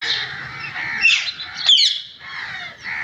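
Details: Green pet parrot talking: harsh nasal chatter with a steady voice-like tone, broken by two loud rising screechy squawks in the middle, then the murmured tone resumes.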